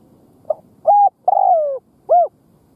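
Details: Decoy spotted dove cooing to entice wild doves: a quiet introductory note followed by three strong low coos, the middle one long and sliding down, the last short and arched.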